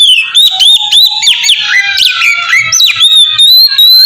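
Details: Oriental magpie-robin song used as a lure for other magpie-robins; loud, fast sequence of looping whistles and downslurred notes, about three phrases per second, closing with steady clear whistles.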